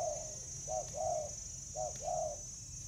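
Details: Spotted dove fighting over food, Vietnam, July 2019: three short hollow coo phrases, each a quick double note then a longer falling coo, spaced under a second apart, over steady hiss and low hum.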